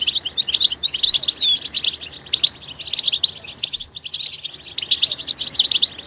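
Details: Goldfinch in its natural environment singing a fast, high twittering stream of liquid chirps and short trills, broken by a brief pause near the middle.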